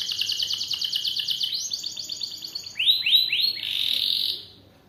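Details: Canary song of long duration, used as training material for other birds; fast, even trills at high pitch shift to a lower trill, then a few loud upswept notes and a sustained buzzy tone that fades out.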